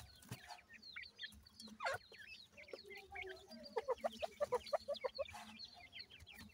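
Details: Captive teetar partridge chicks alongside Iranian pheasant chicks at feeding, uttering high, down-slurred peeps, then a run of evenly spaced chirps about two per second, with lower soft clucking notes beneath and occasional sharp taps.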